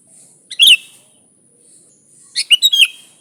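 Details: Sooty-headed bulbul singing briskly, a recording meant to attract other bulbuls: one short chirpy note, a pause, then a quick cluster of three or four bright, bubbly notes.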